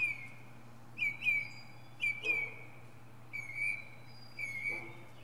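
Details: Clear whistled phrases from a northern mockingbird high in a pine tree, each a sharp high onset then a sustained wavering whistle, repeated about once a second over a low hum.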